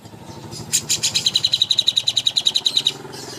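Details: Greater green leafbird (cucak hijau) master song for bird contests. A sharp burst of chirps opens a rapid, evenly spaced string of bright high ringing notes, about six per second, which stops abruptly.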